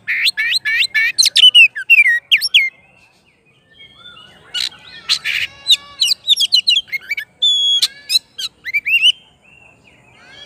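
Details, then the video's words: Oriental magpie-robin in lively full song, calling its rival: rapid varied whistled phrases, sweet slurred notes and sharp chirps in dense bursts, a short pause near the middle, then more loud whistles and trills. "KACER GACOR MANGGIL LAWANNYA"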